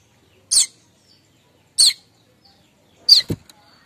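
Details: Streaked weaver kemrecek chatter for luring weavers, morning: three hard, rasping chip notes more than a second apart, the last followed by a short low knock.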